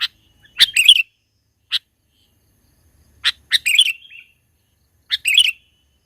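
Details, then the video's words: Lure recording of a sooty-headed bulbul in the mountains: brisk, bright chirping bursts with separate sharp lead-in notes, three main phrases spaced about two seconds apart. "mikat burung KUTILANG di pegunungan super GACOR bikin suara lawan tertekan"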